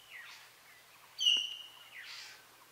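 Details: Hill myna singing in Buxa Tiger Reserve, Alipurduar, West Bengal, India: one loud, clear whistled note with a sharp, clicking start, lasting about a quarter second, set against a soft, hissy natural background with faint distant chirps.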